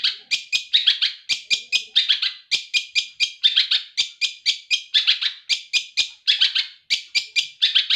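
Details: Hand-raised captive long-tailed shrike singing a loud, harsh, rapid chattering song of rasping buzzy notes repeated steadily for the whole stretch, dense and energetic, with nothing else audible.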